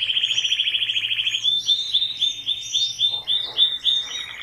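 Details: Canary song starting with a fast, even trill of repeated notes, then switching to a series of quick high whistled syllables and lower slurred notes.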